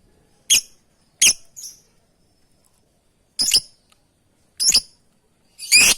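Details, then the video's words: Calling lovebird seeking companions: sharp, piercing shrieks, six in six seconds at uneven spacing, some trailed by a weaker echo-like note, in an otherwise quiet setting. "Suara burung love bird memanggil kawan"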